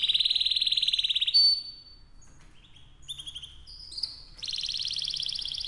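A canary sings a fast, bright rolling trill for over a second, then high thin whistles and short slurred notes, closing with another rapid buzzy trill.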